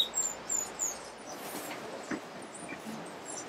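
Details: White-necked Jacobin in Alambi Cloud Forest Reserve, Ecuador, May 2012, giving three very high, thin squeaky notes about a third of a second apart, then fainter ones, over a steady background hiss.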